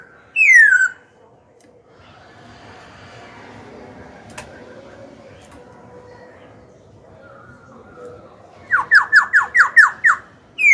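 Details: Black-throated laughingthrush singing to goad rivals and coach young birds. A short falling whistle opens the clip, then a long quiet stretch, then a rapid run of about seven sharp downslurred notes near the end.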